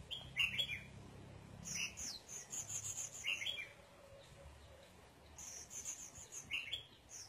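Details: Red-whiskered bulbul sunbathing, repeating short lilting phrases roughly every one and a half seconds, interleaved with rapid high-pitched chips, with a faint low background hum.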